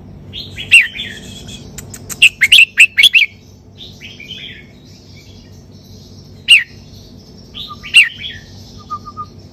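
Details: Red-whiskered bulbul, 'sai beun' song style: a cheerful warbled opener, then a tight run of four loud whistled notes, followed by isolated sharp notes and a few faint high tones.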